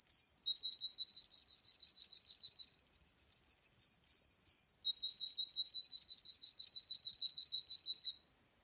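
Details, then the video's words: Male Russian canary, a singing breed officially registered in Russia, kept as a songbird: high, fast rolling trills of rapid repeated notes, shifting between two pitch levels in long unbroken phrases with a brief pause near the middle, clean background. "Русский кенар поёт. Russian Canary singer"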